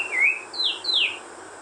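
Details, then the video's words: Wild white-rumped shama giving three clear whistled notes: a level note dipping slightly, then two quick notes each sliding sharply downward, against a quiet background hiss. "Kicau burung murai batu di alam liar"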